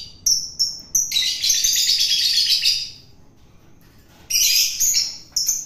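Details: Hand-fed wild long-tailed shrike during taming: a few clipped high notes, then a long, continuous harsh chatter, a silence, and another rasping burst.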